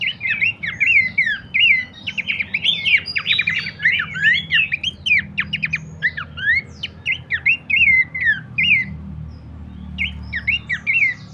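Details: Horsfield's Babbler used as a lure and master recording for training songbirds: dense, rapid chattering of sharp, bent whistled notes packed together for about nine seconds, then a pause and a few more scattered notes, low hum underneath.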